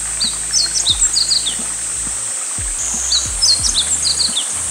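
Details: Meadow Bunting near Kita-Harima, Hyōgo, Japan, around 8 August: quick, high chirped notes in short bursts, over a steady shrill cicada drone and faint low background music.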